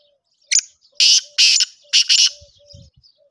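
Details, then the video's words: Black francolin calling: a short harsh note, then a run of loud, grating, buzzy bursts, the last two paired closely, with a steady faint low hum beneath and a soft thump near the end. "Kala Teetar ki awaz"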